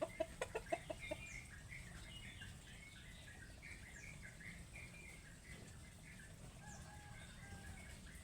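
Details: Plump chickens open with about six rapid low clucks in the first second, then soft high peeping chirps scattered through the rest over a constant low hum.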